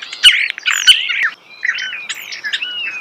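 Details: A close-up starling pours out warbled, looping whistles mixed with crisp clicks, the phrases running almost without pause in natural surroundings.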